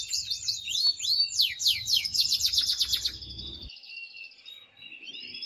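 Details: Male canary in excited song meant to stimulate a female for mating. Varied looping swoops lead into a fast even trill, then softer sustained notes, over a low rumbling background during the first few seconds.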